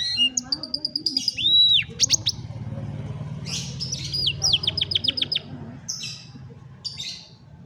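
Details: Canary training song for a lazy bird, recorded on a phone: a scatter of high chirps, a held whistle and a few looping slurs, then bursts of quick clipped notes, over a low steady hum.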